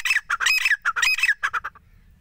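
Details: Grey francolin, with male and female voices mentioned, giving a rapid run of harsh, harmonic, clucking notes that tumble together for under two seconds and then stop.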